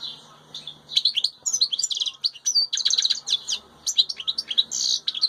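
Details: European goldfinch, a wild bird heard with its chicks, pouring out a fast, bright jumble of twittering notes, chirps and short buzzy trills almost without pause.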